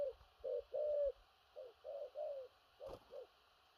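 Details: Spotted dove with a large body, cooing thổ rặc style: short low hollow notes and longer steady coos in quick succession, two groups of three, with a brief sharp knock near the end.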